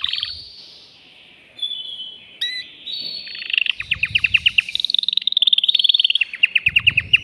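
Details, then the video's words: Agitated male canary in a cage singing to arouse a female for breeding. It opens with long smooth whistled tones, then a rapid rattling trill that speeds into evenly repeated sharp notes, with soft low thumps beneath. "تغريد ذكر كناري هائج يريد تكسير القفص يحفز الأنثي لتزاوج"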